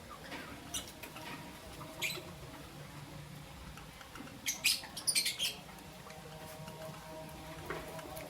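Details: Lovebirds, Albino and Euwing Green Opaline, chirping in the morning: after faint ticking, a burst of sharp, shrill broadband chirps clusters near the middle, a few quick notes in succession, over a steady low room hum.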